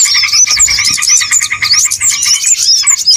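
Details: Lure recording of small birds for trapping, many voices at once: fast pulsed chatter underneath, sharp thin whistles and upward flicks scattered on top, unbroken throughout.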